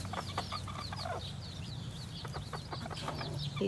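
A rooster gives low, rapid clucking in short bursts to coax a hen to the nest, over a steady low hum, with thin high chirps from small birds.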